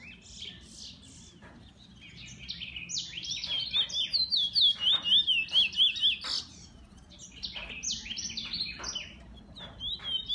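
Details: Bullfinch kept by its owner, singing high chirpy notes that build into a steady pulsing trill of about two notes per second, followed by scattered sharp chirps and clicks.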